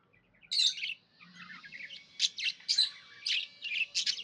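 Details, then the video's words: Pet budgerigar chirping happily: bursts of bright, scratchy high chirps and warbles, a short phrase at the start, then a quick run of varied notes in the second half, with a faint low hum underneath. "Happy budgie chirping sounds"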